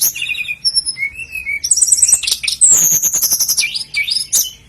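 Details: Sikatan londo flycatcher song recorded for training caged birds, a varied high medley of whistled notes, short warbles and rapid trills, with a long sliding trill and quick chirps near the end.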